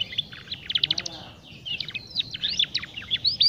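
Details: Young canary learning its song, meant to prompt other young canaries to sing: rapid bursts of high twittering chirps, a brief pause near the middle, then more varied warbling over faint background hum.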